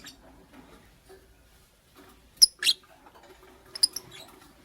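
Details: Chirping lovebirds, a green Fischeri and a pastel blue, in the morning: near-silence broken by two loud piercing chirps, then a quick pair of thinner high squeaks a second later.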